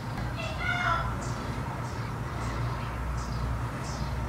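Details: Tundra bean goose on migration from south to north gives a single nasal honking call early, then faint higher calls about every half second over a steady low rumble.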